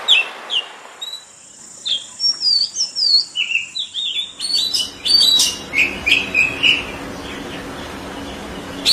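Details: Oriental magpie-robin singing a rapid series of varied whistled and slurred notes, sweet then harsher, with a louder rustling, noisier stretch in the second half.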